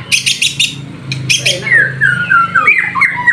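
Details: White-rumped shama in full song while bathing in the afternoon: a few harsh buzzy chattering bursts open the phrase, then a string of clear descending whistled notes, with a steady low hum underneath.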